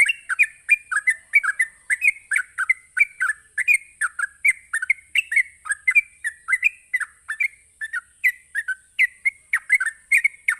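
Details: Sooty-headed bulbul pouring out a long rapid 'ropelan' song to provoke rival bulbuls. Liquid, slurred whistles follow each other in quick regular succession for over ten seconds, with an unchanging high hiss beneath.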